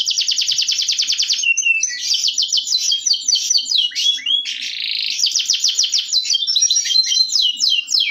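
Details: Local canary in masteran therapy song: rapid rattling trill, then varied twitters, a brief rough buzz, and another fast trill run, all continuous.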